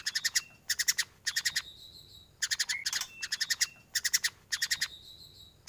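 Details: Varied fill-in song of a white-rumped shama, used to train other birds: rapid rattled note groups of four or five, alternating with thin sustained whistles and a brief rising slur.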